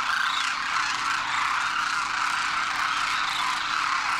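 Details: Wintering Demoiselle Cranes gathered in great numbers at Khichan Village, Rajasthan, India, young of the year with adults after their Himalayan crossing; constant dense clamour of overlapping rolling calls, evenly loud throughout, and a faint low background hum.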